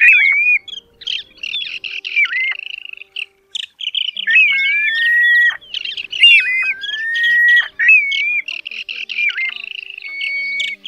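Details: Mixed plover calls played as a night-netting trapping lure, including greater and lesser plovers, Pacific golden plover, grey plover and others: clear whistled notes, some long rising or level tones, with varied chirps in overlapping bursts.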